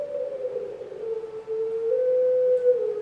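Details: Puter pelung Barbary dove recorded 3 March 2020, giving a long, steady, low coo held for about three seconds with a slight dip midway, then rising and level again; fairly quiet with a light background hiss.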